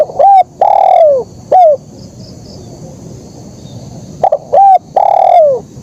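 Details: Two consecutive 'kuk 1' phrases from a spotted dove, separated by a pause of about three seconds. Each is short soft coos ending in a prolonged downward-sliding coo, loud and clean.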